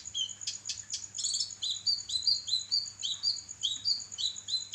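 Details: Kinoi in lively song, recorded as training material for songbirds: a few buzzy high notes, then a steady series of quick upward-sweeping whistles repeated roughly twice a second, with constant high-pitched hiss and low hum behind.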